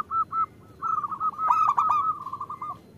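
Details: Zebra dove hen calling to the male to draw local males into song: short purring coo bursts, then a longer steady trill broken by a louder, bright stuttering burst midway.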